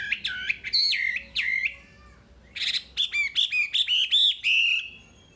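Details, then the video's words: Wambi tutor song: a few bright, wavering whistled phrases, a short silence, then a quick string of repeated upslurred notes that settle into a level, fading whistle. "Masteran Wambi paling istimewa full materi"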